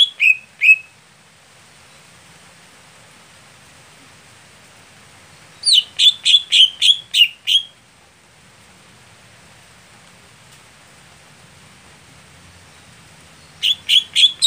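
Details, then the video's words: Greater green leafbird, a setting sound for a contest bird that is late to sing. Bursts of rapid, buzzy repeated chirps are separated by several seconds of near silence, with three separate phrases. "Setting Khusus Cucak Hijau Saat Lomba Lamban Panas / Telat Kerja"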